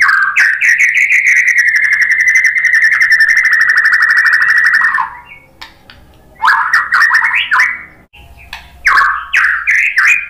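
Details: Lure recording of a white-rumped shama to get other birds singing: a sustained rapid trill for about five seconds, then after a pause several short rising whistled phrases.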